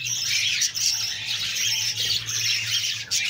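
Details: Budgerigar babies being fed by a female give rapid, scratchy, squealing begging calls in a continuous rush, with brief dips in volume and a soft low hum in the background.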